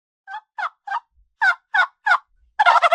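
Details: Domestic turkey on a farm giving its gobble: six short rattling bursts at steady intervals, then a denser, louder burst of rapid gobbling at the end; no other sounds.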